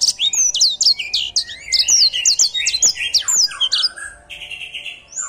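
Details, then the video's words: Energetic edel sanger song, a canary-type songbird: fast series of high downslurred whistles repeated several times a second, ending in lower warbled phrases, with faint low background hum. "Edel sanger gacor"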